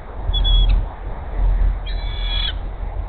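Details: As her mate approaches with a caught rat, a female bald eagle calls from the Hays nest in mid-morning: two high, thin, strained squeals, the second longer, against strong gusting wind noise.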